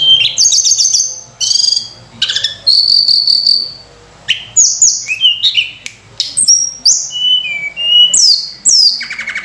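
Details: Lively Sunda robin song full of varied fill-ins, played as a lure for other birds: quick strings of high whistles and short trills, with steady held tones and brief gaps between phrases.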